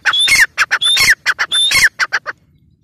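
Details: Grey partridge, or teetar, sounding harsh squawking phrases with high whistled notes, ending in a few shorter clipped notes before stopping abruptly into silence.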